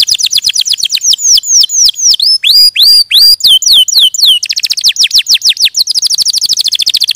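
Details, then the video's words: Canary singing a fast, varied song: quick high trills, then slower swooping upward and downward whistled notes, followed again by rapid repeated sweeps. "Suara Burung Kenari"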